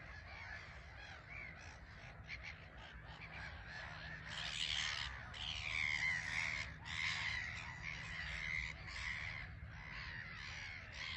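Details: Gull colony of black-headed gulls on a small island at Frampton Marsh, flocks taking off and landing; the chorus swells in the middle into loud, rasping, overlapping screeches, then eases back to a busy background clamour.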